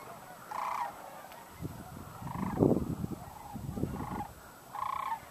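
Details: Cranes in 2012, watched in hope that they would take off: loud, rough, trumpeting calls in short bursts, some with a rattling edge, spaced irregularly, while people speak quietly and low rumbling background noise is heard.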